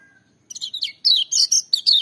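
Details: Kecial kuning, the lemon-bellied white-eye, bursting into loud, high, piercing song: quick slurred notes start softly, then swell into strong, rapid twittering phrases over the last second.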